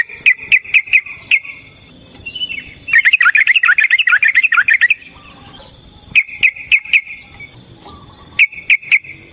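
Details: Long provoking fight song of a yellow-vented bulbul: short bursts of quick sharp chirps frame a dense, bubbling warble of tumbling notes lasting about two seconds.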